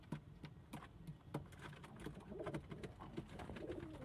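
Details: Kept domestic pigeons in a loft, low throaty cooing rolling in soft burbling phrases in the second half, with sharp clicks and knocks scattered throughout.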